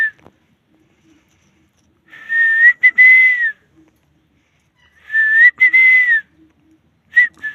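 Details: Parrot repeating the same whistled phrase twice about three seconds apart, each a rising then falling tone with a short break, and a third beginning at the end; quiet between phrases.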